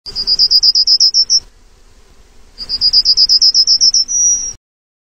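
Yellowhammer singing two phrases: a quick, high rattle of a dozen similar notes, the second ending in a long, drawn-out note.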